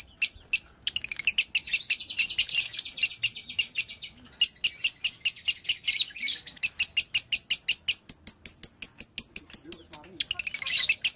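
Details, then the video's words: Lovebird performing dobelan-style chirping, called konslet: rapid high chirps in bursts, broken by short pauses near the start and the middle, with a denser, buzzier patch toward the close. "Suara dobelan lovebird"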